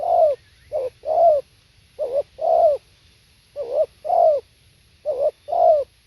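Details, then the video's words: Spotted dove singing live: low, mellow coos in paired phrases, a short note followed by a longer, richer falling coo, repeated four times at roughly 1.5-second intervals against a faint background hum. "เสียงนกเขาใหญ่ สด | suara tekukur"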